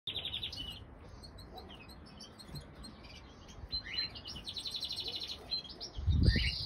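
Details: Two common crossbill chicks, hatched in April 2020 and one and three days old, being fed at the nest by their mother; high thin chirps in short bursts, mixed with low rumbling background noise and a thump near the end.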